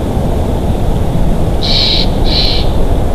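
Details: Wild bald eagle pair at their nest in Big Bear Valley, 28 February 2023, late afternoon, picked up by a live nest cam: two high, thin piping notes over a constant heavy roar of wind.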